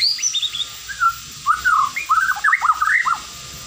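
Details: White-rumped shama, a popular cage bird in Indonesia, singing a varied phrase: high whistled notes near the start, then a rich run of slurred, looping whistles and rapid warbled syllables at mid pitch, loud and clear over a quiet background.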